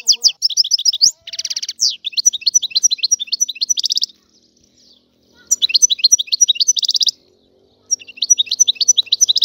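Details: European goldfinch, described as wild and Algerian, delivers bursts of rapid liquid twittering and tinkling chirps interspersed with a buzzy trill, broken by two short pauses of near silence.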